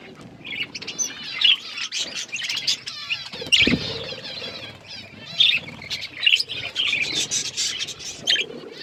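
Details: Eating budgerigars produce a chattering warble of wavering, ringing high notes and squeaks, punctuated by a loud click or flutter midway, with low rustling throughout.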